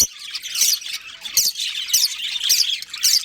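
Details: Budgies from a colony with a breeding pair chatter busily, with bursts of shrill, buzzy chirps rising in loudness about every half second over a constant high twittering background.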